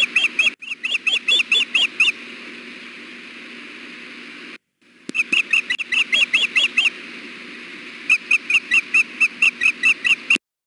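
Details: At the Hellgate osprey nest on a hot June 2016 afternoon, the female fusses persistently to be fed while her mate is present. Sharp piping chirps repeat rapidly in long series, with a brief quiet stretch in between.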